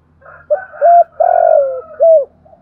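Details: Calling spotted dove in the 'thổ' voice, recorded to lure and provoke wild doves. One phrase of four low coos: a brief opening note, a rising hoot, a long drawn-out buzzy coo sliding down, and a closing coo. Faint low hum underneath.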